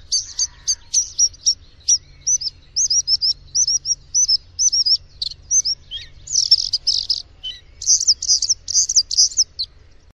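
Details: Bluethroat delivering a medley of high, curling whistled notes, sharp ticks and harsh, buzzy rattling bursts, in short phrases separated by brief pauses.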